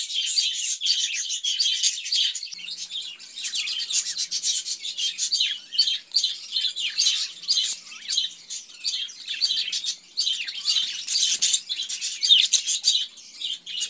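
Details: Budgerigars kept in a cage give a long, restless mix of quick chirps and raspy, scratchy clicks that repeat in rapid bursts, with bright high twitters layered throughout.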